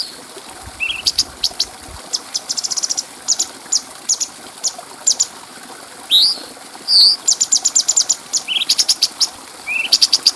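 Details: Bulbul song used to tutor other birds, clear in tone. Scattered high ticks and short pulsed bursts mix with several quick upswept whistles and one loud, bright, falling note. The ticking runs grow denser toward the end.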